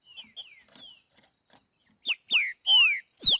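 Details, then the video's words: Green-winged saltator singing in the wild in the boiadeiro song style: soft slurred notes give way to four loud, rich whistled phrases, each sweeping down from high to mid pitch with a rising lead-in, in a quiet setting. "TRINCA FERRO BOIADEIRO CANTANDO NA NATUREZA"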